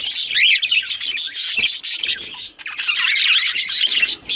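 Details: Male budgerigars, kept as pets, chattering: a dense, scratchy high warble of squeaks, clicks and chirps running almost continuously, with a short pause midway.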